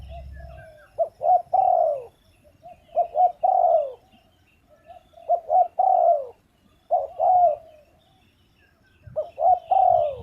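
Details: Spotted dove repeating its phrase several times with pauses: a soft lead-in note, a quick stutter, then two strong coos falling in pitch, clear against a quiet background.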